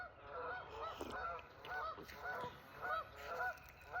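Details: Several geese on a lake in Michigan honk over one another at sunrise on a 45°F morning, 11 March 2025; nasal mid-pitched calls come about twice a second in loose, overlapping bursts.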